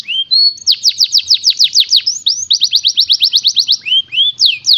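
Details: Singing canary: two rising whistles lead into a run of falling notes at about seven per second, then another bright rising whistle, a fast even trill, and closing rising slurs.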